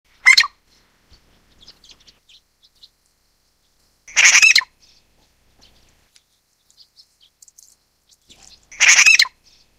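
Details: Grey treepie of the nominate subspecies in Taiwan: three loud harsh grating calls, each about half a second long, spaced roughly four seconds apart, with faint soft chirps from other small birds in between.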